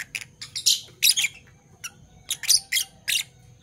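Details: Two Fischer's lovebirds, Parblue Violet and Parblue Turquoise colour forms, chirping in the morning: harsh, broadband squeaky chirps in two loose bursts, with a faint steady low hum beneath.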